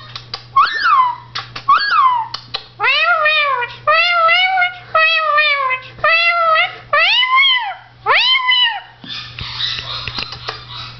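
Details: Indian ringneck parakeet, blue, male, talking to himself in the mirror. Two short squeaky notes open a run of arched, rising-and-falling word-like syllables spaced about a second apart, ending in a rougher burst.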